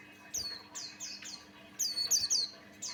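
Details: Lure song from a vigorous male Buxtoni white-eye; a string of high falling whistles, ending in a bright rapid cluster of sharp squeaky notes, low hum throughout.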